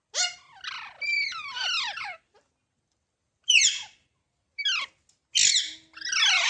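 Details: Baby parrots chattering in a rapid sequence of harsh, descending squawks, then after a pause several loud, noisy screeches and a final long grating call, indoors.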